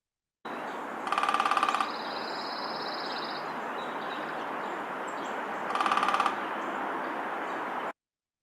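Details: Red-bellied Woodpecker drumming, Kentucky: two rapid, even rolls of about a second each, several seconds apart, over steady hiss and a brief high thin note.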